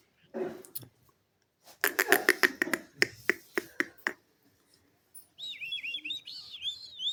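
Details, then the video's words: Male and female pet parrots calling and chattering: a quick run of sharp clicking, popping notes, then a high, wavering whistle that dips and rises repeatedly over about two seconds, indoors. "cute parrots calling"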